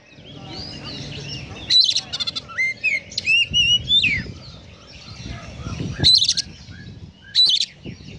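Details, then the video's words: Oriental magpie-robin singing konslet filled with sparrow mimicry: whistled slurs and rising notes early on, then several loud chattering bursts, all over a busy low rumbling background. "Kacer Konslet Full Isian Burung Gereja | Magpie Robin Singing"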